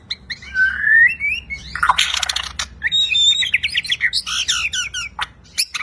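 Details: Borneo (Kalimantan) white-rumped shama in full, clear, varied song, called champion-style gacor with full isian: sweet rising whistles, a burst of harsh buzzy notes, then rapid ringing high whistles and clicks, sung continuously over a faint low hum.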